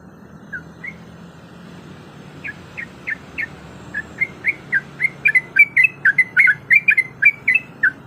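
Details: Female sooty-headed bulbul in breeding condition calling to a male: short bubbly chirped notes, sparse at first, then a quick steady series of about four per second, over a low background hum.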